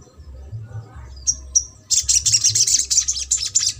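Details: Crimson sunbird in trotol style, played to coax a quiet sunbird into song: two sharp high chirps, then a dense, rapid, high-pitched chattering trill, over a steady low hum.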